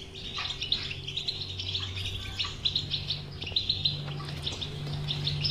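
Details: European goldfinch batbata song, intended to get a non-singing goldfinch singing: nonstop bright twittering with sharp accented chirps, accompanied by a steady low electrical hum.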